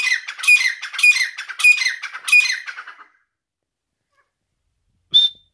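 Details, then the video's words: An Irani teetar (partridge) gives four harsh, grating calls about every half second over three seconds, then falls silent before one brief high whistled note at the end. "Teetar ki Awaz |Irani Teetar ki voice |Teetar sound"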